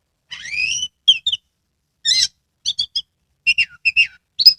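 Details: Caged Oriental magpie-robin in Kebumen, Central Java, tail spread while singing; a long rising slurred whistle opens, then short chirps and paired whistled notes follow in quick bursts, clean and close with no other sounds.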